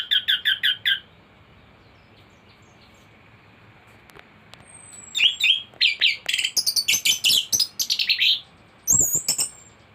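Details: Captive thrush song used as a tutoring recording for other birds: bursts of bright, high chattering notes and sharp whistles, a rapid series at the start, then dense repeated phrases after a pause.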